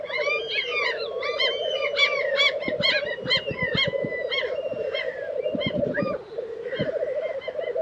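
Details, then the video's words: Black grouse at a lek in Tiveden, Sweden, in April: a continuous chorus of low bubbling, rolling coos from several males, with frequent whistled and chirping calls of other birds layered above. "Black Grouse Lek - sound recording"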